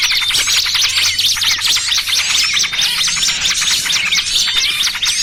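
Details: Small birds in a trapping lure mix of noisy trucukan and 'burcil kejepit' calls: a packed, unbroken stream of shrill chirps and rapid zigzag notes, roughly two per second, with a soft low drone underneath.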